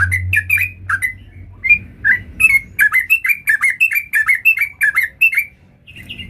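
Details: Full-variation 'gacor' song of a sooty-headed bulbul: irregular whistled chirps at first, then a quickening string of short falling notes, ending in quiet with a final faint note.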